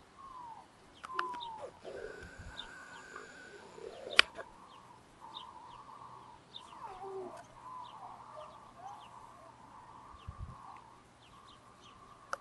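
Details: Mallard female with ducklings in Murinsky Park on 3 June 2018; thin, high, downslurred peeps repeat irregularly throughout over a steady mid-pitched hum, with a few brief low thumps and sharp clicks.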